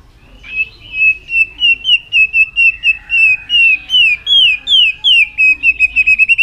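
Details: White-rumped shama training song for urging a bird to sing many voices quickly: a long, fast string of bright whistled notes, each sliding down then up, about three per second, accelerating near the end over quiet background.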